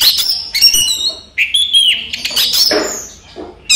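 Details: Orange-headed thrush in a cage singing during the day: short bright whistles and chirps, a clear slurred whistle in the middle, then rough scratchy notes with small gaps between phrases.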